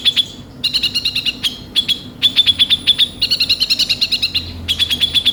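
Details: Konin sunbird song played to a young bird as a lure: repeated rapid trills of sharp high chirps, about five per second, in several phrases broken by short pauses.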